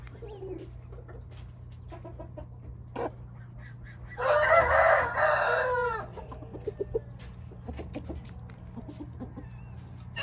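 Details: Hint rooster letting out one long, rasping crow of nearly two seconds with a falling tail, set against a steady low hum and sparse clicks and clucks from other birds.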